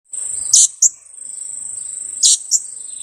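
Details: Two-week-old young blue-crowned hanging parrot, used as a lure for trapping. Sharp, very high squeaky notes come in two paired bursts about 1.7 seconds apart, each a loud note followed by a shorter one, over a steady shrill insect drone.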